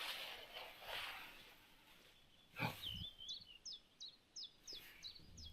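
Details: A common snipe at a birding spot in western Norway on an April morning during migration gives a steady series of sharp, high, hooked notes, about three a second; a man speaks briefly beforehand.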